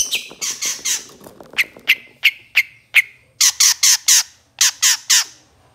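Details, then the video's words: Long-tailed shrike song from a master recording for training songbirds: harsh grating notes, then five sharp clipped chips about every third of a second, followed by paired loud buzzy high squeaks. "Kicau Masteran Suara Cendet No #1❗Masteran Cendet FULL Isian Mewah"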